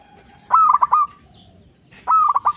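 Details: Local zebra dove in full voice, used as a lure for trapping and to provoke other doves into answering. Two short cooing phrases, each a clear opening note followed by three quick stuttered notes, about one and a half seconds apart.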